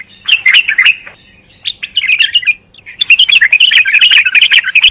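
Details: Bulbul delivering lively bursts of high, twittering warbles and chirps. A short pause falls near the middle, then the song resumes in a dense, rapid stream to the end.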